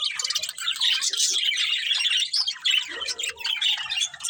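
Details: Several pet budgerigars in busy chatter, high scratchy warbles mixed with harsher squawk-like notes and quick chirps, sound unbroken throughout.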